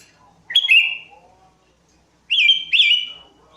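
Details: Sooty-headed bulbul singing for luring: a clear slurred whistle dropping to a steady tone, then after a pause a longer double-note phrase of bright whistles, faint lower chatter behind.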